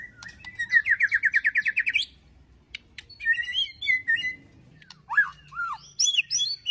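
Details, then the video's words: Agitated white-rumped shama ketrekan, with cililin and prenjak tir filler, for bird training: a fast rattle of about fifteen even notes in two seconds, then high chattering and sharp downslurred whistles. "KETREKAN MURAI BATU EMOSI TEMBAKAN PEDAS ISIAN CILILIN PRENJAK TIR BIKIN EMOSI"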